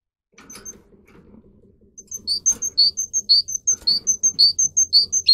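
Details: Singing canary of the Russian line, used for song training, begins softly amid faint room murmur, then breaks into a rhythmic series of bright high chirps, about two per second, ending in a rising flourish.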